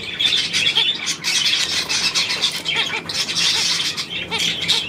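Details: Budgerigar chatter from 9 February 2024: busy, high warbling and squawking in quick bursts, with short tonal chirps repeating roughly every half second beneath the rasping flow.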